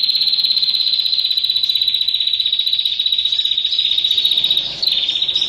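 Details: A female bar-winged prinia calling to a male gives a long, high, buzzy trill running almost unbroken, with one short pause near the end.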